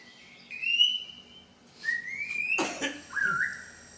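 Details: White-rumped shama of the Medan type, a kept songbird showing its imitated repertoire: two long, rising, pure whistles, then a harsh burst and a short warbled note.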